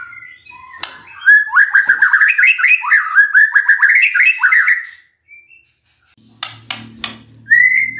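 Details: Magpie-robin song used to lure a silent bird into answering: a rapid series of repeated rising chirps forming a rolling trill, then a pause, a few clicks and a final whistle.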